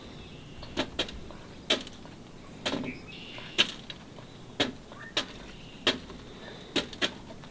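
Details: Sharp clicks and knocks recur irregularly, about a dozen in under eight seconds, over a low steady background hiss, with no animal voice heard.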